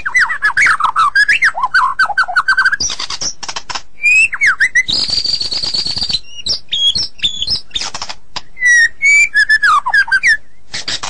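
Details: White-rumped shama singing, used to train songbirds: varied tumbling whistles and chatter, a sustained high buzzy stretch, then more clear slurred whistles and clicks.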